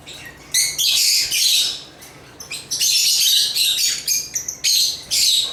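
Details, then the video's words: Lovebirds (Agapornis) singing with rapid, shrill chirps in irregular clusters, about thirty bursts a minute, bright scratchy twitters overlapping in places with short quiet breaks. "African Love birds Agapornis chirps singing sounds"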